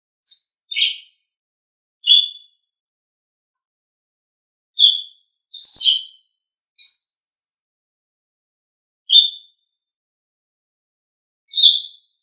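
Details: Asian pied starling, recorded as tutor song for pet birds, giving sparse short high squeaks and chirps, singly or in pairs, spaced over several seconds with silence between.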